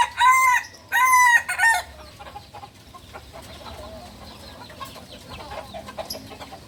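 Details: A young, beginner Balenggek chicken from Solok in West Sumatra crows in the kukuak balenggek style. Two strong, evenly pitched crow segments open the recording, then the bird goes quiet and faint background sounds remain.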